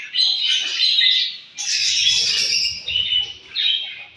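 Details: A morning feeding session of budgerigars: dense warbling chatter with high whistled squeaks, dropping briefly at one and a half seconds, then resuming in loud bursts.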